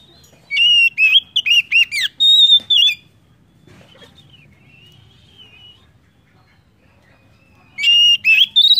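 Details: Oriental magpie-robin (kacer) lure song to encourage other birds to sing: a quick burst of sharp slurred whistles and a held note, several seconds of soft quiet warbling, then another loud rising phrase.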